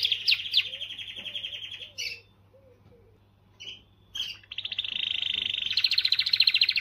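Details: Canary song to motivate females: an initial buzzy trill with soft low chirps beneath, a near-silent pause with a few short notes, then a long steady rolling trill rising in loudness.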